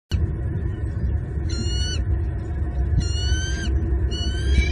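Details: Bald eagles at their nest in Southwest Florida on 6 January 2022, the pair bringing sticks, food and nest fluff while feeding their eaglets, captured by a live nest cam; three short, high, stacked chittering calls over heavy low wind rumble.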